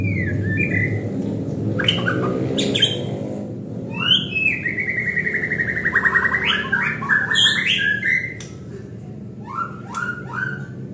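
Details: Lure song of a white-rumped shama, sung to provoke other birds: short whistles, sharp chips, then a long buzzy warbled phrase and quick ascending notes over low background hum.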